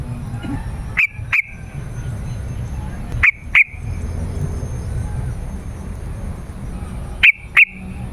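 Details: . Yellow-vented bulbul song played to attract wild birds and get caged birds answering. Three evenly spaced doublets of sharp, bright notes about three seconds apart, with light background hiss.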